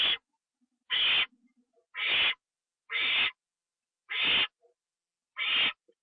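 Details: Owl receiving a treat eaten inside its shelter, filmed live at 1:52 AM on 25 September 2011: six rasping hissed screeches repeated at a steady pace of about one per second, with quiet soft murmurs in between.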